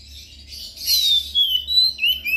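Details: Oriental magpie-robin lure song used to coax silent magpie-robins into singing: a brief burst of loud, high, descending slurred whistles, repeated in quick phrases.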